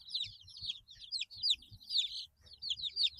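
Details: Chicken chicks eight days old, several calling at once; high, sliding peeps in quick bursts of three or four, a brief lull near the end before the chirping resumes.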